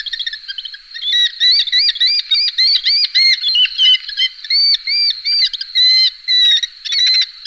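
A red-footed falcon gives a shrill, squealing series of 'kew' notes, about two per second, each with a sharp rise and fall; otherwise quiet.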